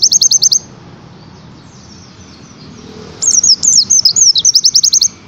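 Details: Oriental white-eye training song in the tembakan style: bursts of very high, rapid chirps, a quiet pause, then twittering slurred notes that run into another fast burst of sharp chips.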